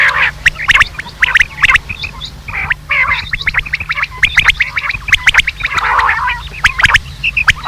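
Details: Rain quail calling, used as a hunting lure. Short, chirpy notes and clicks come in irregular clusters, with a fuller squawking phrase near the end.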